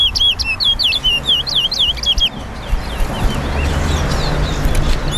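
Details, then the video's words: Guyanese bird race at Lusignan bird ground: a lesser seed finch (towa towa) delivers a rapid phrase of looping whistled notes for about two seconds, then fainter notes over crowd murmur and spoken counts. "TOWA TOWA BIRD RACE AT LUSIGNAN BIRD GROUND"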